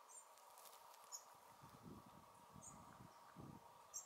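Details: Blue-capped tanager (Sporathraupis cyanocephala), seen moving in a pair, gives thin, very high, sharp call notes, about four spaced a second apart, over a steady droning insect hum and soft low rumbles.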